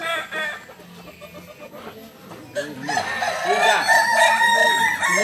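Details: Balenggek roosters at a crowing contest in the landiak class, held on a Sunday at Ampang Kualo, Solok city. Faint murmur at first, then loud overlapping crows from several birds, wavering stepped notes in layered harmonics, with crowd noise underneath.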